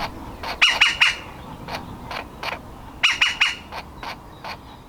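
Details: Woodpecker nestling about to leave the nest, calling from inside its hole. Two clusters of three sharp, grating notes are separated by softer scattered chips.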